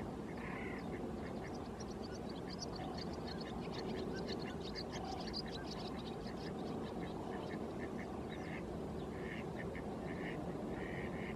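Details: Great crested grebe (Podiceps cristatus), call.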